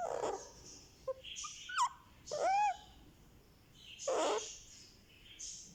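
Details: One-month-old pet Indian ringneck parakeet chick receiving a head massage, giving a few soft, squeaky, arched calls with a whimpering tone, spaced by quiet gaps, over a faint background hiss.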